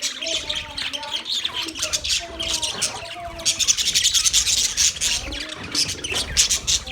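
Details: Busy budgerigar chatter from Australian budgies, rapid overlapping chirps and squawks with a few lower warbling notes, loudness rising and dipping throughout.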